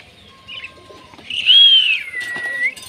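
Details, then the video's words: Pet Indian ringneck parrot greeting a new baby ringneck indoors; a loud drawn-out whistled note that arches up, then slides down into a lower sweep ending in a brief upturn, with faint chirps before it. "Talking Ringneck Parrot Greeting Baby Parrot"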